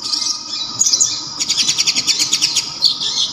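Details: Loud, sharp, clear-voiced local brown-throated sunbird (kolibri ninja): a brief high twitter, then a fast, evenly pulsed trill of very high notes lasting over a second, ending in thin chatter.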